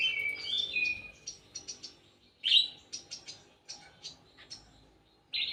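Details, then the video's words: A caged kidangan kaso kaso sings in an Indonesian aviary. It opens with a warbled burst, then a loud rich note, followed by a string of short clipped chirps spaced about half a second apart. "BURUNG KIDANGAN KASO KASO"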